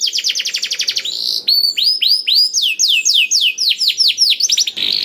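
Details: A canary in full song, a tutor recording meant to prompt reluctant canaries to sing, sings fast and loud: a rapid trill of high notes, then a buzzy burst and a run of swooping, descending whistled phrases.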